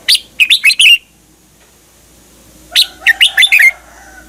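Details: Caged Red-whiskered bulbul from Thailand, song meant for young birds to learn: two rapid phrases of bubbly whistled notes, each ending in a lower slurred note, with steady low hum behind.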